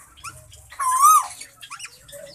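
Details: Captive plum-headed parakeet (Psittacula cyanocephala) from a bonded breeding pair gives one loud, harsh squawk with a brief wavering rise, framed by a few fainter chirps and squeaks in a quiet room.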